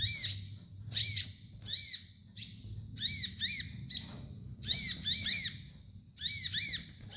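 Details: Kolibri ninja sunbird singing rapid phrases of high, scratchy, arching squeaks over thin, drawn-out whistles, repeated with short gaps, for use as a training master. A soft low hum lies underneath.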